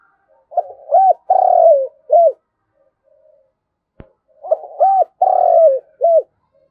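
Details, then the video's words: Spotted dove decoy calling its flock, giving two low hooting phrases, each a stutter, a long falling croo and a clipped end note. A sharp click falls in the pause between them. "tiếng cu gáy gáy gọi bầy"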